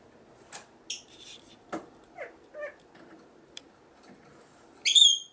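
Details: Pet brown-headed parrots playing on a desk give scattered short chirps and clicks, ending in a loud, shrill, harmonic squawk, over a quiet indoor background.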